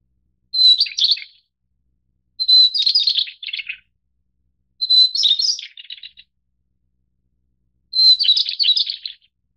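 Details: Taiwan's endemic White-browed Shortwing subspecies, Brachypteryx montana goodfellowi, from mountain forest at middle to high elevation: four separate bursts, each a sustained high note followed by a fast, jumbled, descending warble, separated by quiet gaps.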